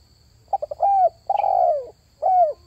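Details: Spotted dove lure call used for catching wild doves: a few short stuttering coos, then a long falling coo, a pause and a shorter arched coo. A faint steady high whine runs throughout.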